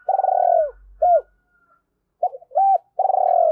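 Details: Repeated spotted dove coos for rousing decoy birds: a long trilled purr sliding down, an arched hoot, a gap, then short notes, another rounded coo and a second vibrating purr, clear and unaccompanied.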